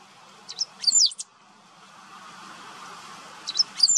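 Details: Great pampa-finch in Maldonado estuary wetlands, Uruguay, September 2022: one high squeaky phrase of clipped notes and a brief twitter, then steady background rushing noise, with another phrase starting at the end.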